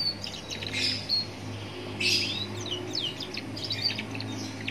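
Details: Young Atlantic canary song recorded by a roadside, intended to make other canaries answer; high twittering trills and whistled sweeps come between louder passing-traffic whooshes over a steady low rumble.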